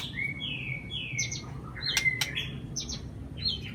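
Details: Murai batu (white-rumped shama) song used as a lure for a silent bird. Clear whistled notes, some sliding and some held, with quick chips and scattered clicks over a low background hum.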